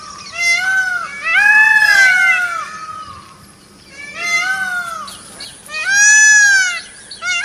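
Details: Indian peafowl, peacock, uttering three loud, long, arched nasal wails separated by short pauses, each rich in harmonics, with a faint hum in the background.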